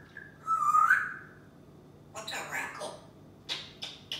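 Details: Talkative male African grey parrot kept indoors in a Texas home, vocalizing freely: a clear, bending whistled note, then a hoarse speech-like phrase, followed by three sharp clicks spaced under a second apart.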